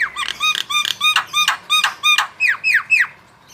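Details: Chatty Javan myna in full song, recorded to tutor cage birds: bold notes repeated about three times a second with ringing downslurred harmonics, ending in sweeping falling whistles.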